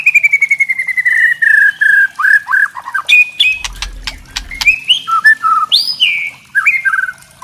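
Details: Murai trotol (white-rumped shama) in crackling kretekan used to rile other shamas: a long, slowly falling whistle, short slurred notes, a burst of dry clicks over a low rumble, then varied bright whistles.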